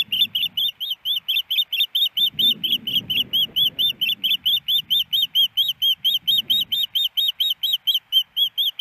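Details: Female osprey at her nest in Hellgate Canyon, Missoula, Montana, on April 28, 2019, after a snowy morning, calling for a fish from her absent mate: steady high whistled chirps, about two per second, with faint low rumbling below.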